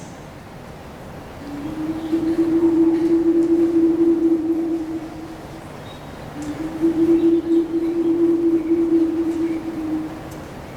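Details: Two long, steady low horn-like tones, each held about four seconds with a brief pause between, over a soft background hiss; no animal voices.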